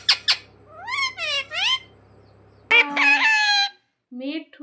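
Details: Pet parrot trained to mimic "mummy papa" utters two sharp clicks, then three rising-and-falling nasal syllables. A loud broadband harsh squawk and a softer low call follow after a pause.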